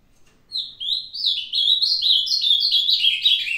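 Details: Old captive Ultramarine grosbeak singing on 22 May 2022: a bright, hurried phrase of clear whistled notes sliding up and down, building and continuing for about three seconds in a quiet setting.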